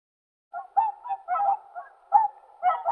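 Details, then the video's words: Whooper swan: a brief burst of nasal, bugling honks, several in quick succession and partly overlapping, as if from more than one bird. "Голоса птиц Как поёт Лебедь кликун (Cygnus cygnus)"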